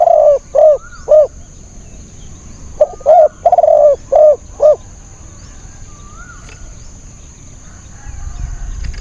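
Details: Decoy spotted dove used for luring wild doves, cooing in two bursts of three to four rounded hoarse notes, then a long quiet stretch with a faint distant whistle and low rumble.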